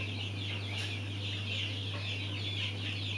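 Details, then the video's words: A brood of mountain quail chicks keeps up continuous shrill peeping, with many thin chirps overlapping and rising and falling in pitch, over a low steady hum. "Mountain Quail Chicks"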